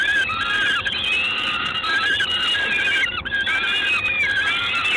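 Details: Peregrine falcon in Gdańsk, Poland, recorded 3 June 2016 at 19:47: continuous thin, whining harmonic calls with slight rises and falls, running almost unbroken over five seconds, with a brief dip near the third second.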